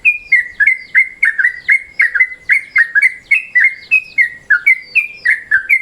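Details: Yellow-vented bulbul calling in midday mode, a lure recording: a fast, continuous bubbling chatter of clear whistled notes, some dipping and some held level, several each second.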